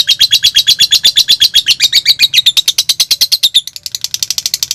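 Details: Lovebird song meant to spur other lovebirds to sing: quick, rasping chattering notes in a steady stream, turning thinner and faster near the end.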